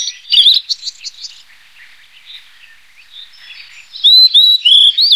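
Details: Blue-and-white flycatcher singing: a quick burst of twittering whistles at the start, a quiet soft warble in the middle, then three loud clear slurred whistles in a row near the end.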